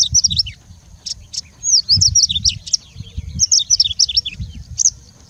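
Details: Singing bushlark in mimicking song, a jumble of high swooping whistles, down-slurred notes and sharp chips in quick sequence, with faint low thumps beneath.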